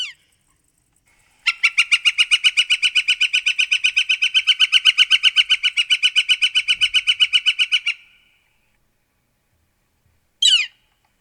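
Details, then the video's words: Northern Flicker, a woodpecker, giving a long, even series of loud, ringing 'wik-wik-wik' notes, about seven a second for six seconds, then a single sharp descending note. "Northern Flicker Call and Sounds"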